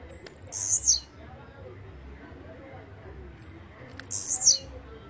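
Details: Blue-black grassquit, known as chirrio, pirra, tiziu or volantina, gives two identical shrill buzzy phrases about three and a half seconds apart, each sliding downward at the end, against quiet low background noise.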